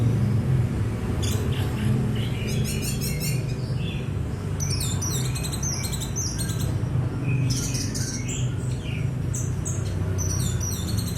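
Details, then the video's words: Orange-headed thrush, known locally as anis merah, singing: bursts of high, rapid, varied chirps and trilled phrases, some repeated in quick series, separated by short pauses, over a loud continuous low rumble. "suara burung Anis merah"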